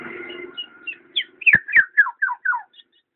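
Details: Black-naped oriole gives a short run of clear slurred notes that dip downward, spaced about a quarter second apart. A steady low hum comes first, and two sharp clicks are mixed in.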